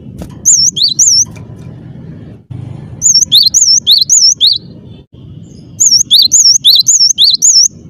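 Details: Cinereous tit singing persistently and clearly: three bursts of rapid, high, wavering whistled notes, each burst of five to seven slurred notes, separated by pauses, over a low rumbling background hum.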